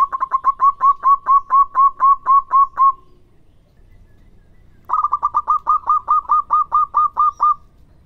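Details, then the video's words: Local zebra dove in full song, played to make other doves respond; two long runs of evenly repeated, clipped cooing notes, about a dozen each, separated by a two-second pause. "Suara burung Perkutut Lokal Gacor yang bikin cepat nyaut"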